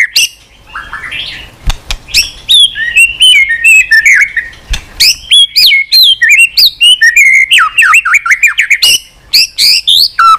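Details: White-rumped shama being trained for varied song, stirred up and tail flicking, pours out a long, rapid stream of bright whistled notes, slurs and sharp chips, with a couple of brief pauses.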